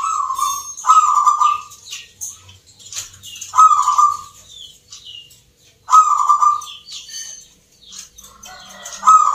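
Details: Caged perkutut, or zebra doves, competing in a Yogyakarta song contest for the Nglagu Ngepat Mentaraman style: three or four soft, purring coo bursts with short pauses, while sharp high twitters from other birds fill the background.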